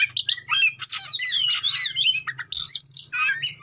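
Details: Oriental magpie-robin song played to spur rival birds into song and response: energetic stream of varied whistled slurs, trills and scratchy notes, almost continuous, with a faint low hum behind.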